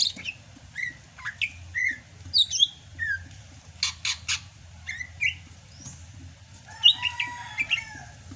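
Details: Greater green leafbird of Sumatra singing strongly despite the rainy season. Scattered whistled and upslurred notes with a pair of harsh rasping bursts midway, ending in a dense twittering warble.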